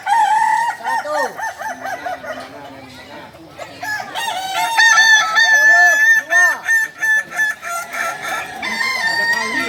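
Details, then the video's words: Kukuak Balenggek roosters, Solok's native singing chickens, training for crowing contests: a loud opening crow, a quieter gap, then strong layered crowing broken into rhythmic pulsing syllables by several birds. "Latihan prestasi Ayam kukuak balenggek ayam penyanyi asli Solok"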